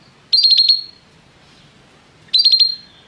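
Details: Canary singing restlessly: two short, sharp trilled bursts of very high notes about two seconds apart, with quiet gaps between.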